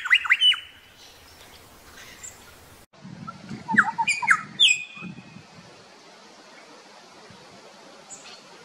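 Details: Grey shrike-thrush in Tasmania giving clear, musical whistled notes that sweep up and down, in short phrases at the start and again mid-clip, over soft low rumbling background noise.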